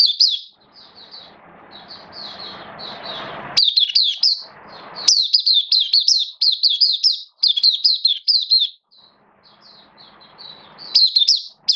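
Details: Caged oriental white-eye (mata puteh), a hobby bird, in opening song (buka sing) recorded 11 September 2022, form slightly dipped: rapid high twittering bursts with chirpy, warbling notes, separated by short pauses, over a faint low room hum.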